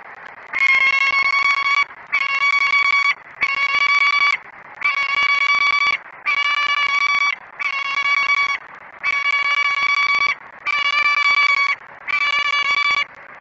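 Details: A perched female peregrine falcon gives the foodless male an earful in the nestbox at Great Spirit Bluff, 28 February 2017, 06:32. Nine harsh, even-pitched, nasal wails repeat steadily, roughly one every one and a half seconds.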